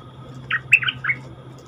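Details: Wild-caught cream-vented bulbul kept in a cage, one of several captives, some used as decoy birds: a short phrase of three quick, slurred, bubbly notes in the middle range, the second note the highest, over a steady low hum.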